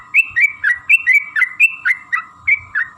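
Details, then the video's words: Sooty-headed bulbul song serving as a lure for other bulbuls: clear, rich whistles in uneven bursts, some notes sliding up, others falling, with faint low knocks in the background. "trucukan gacor TARUNG ROPEL PANJANG pancingan trucukan agar bunyi"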